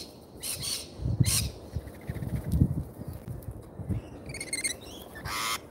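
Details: Lorikeets at a feeder in Australia: harsh, broadband screeches burst out near the start and again at the end, with a short stacked, chattering call in between, over steady low rumbling background noise.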